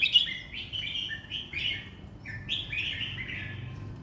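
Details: Competition cage red-whiskered bulbul sings a continuous string of clear slurred whistles, some descending, some rising, in a relaxed, flowing delivery with short breaks between phrases.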